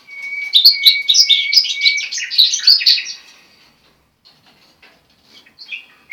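A goldfinch × linnet hybrid sings a fast, tinkling twitter of high notes over a steady thin whistle for about three seconds, then a few scattered chirps.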